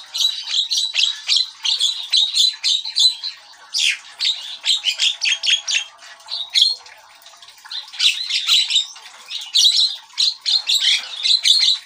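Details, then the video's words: Javan myna (jalak kebo) in loud, vigorous song, recorded as a lure call for birding; a harsh, chattering run of squawks, clicks and rasping whistles in rapid bursts, pausing briefly every few seconds before starting again. "Burung Jalak Kebo Gacor Untuk Pemikat"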